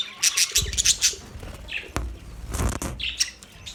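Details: Australian budgies chattering, a fast run of high twittering chirps at first, then a sharp click and fewer short squeaky calls against low background rumble.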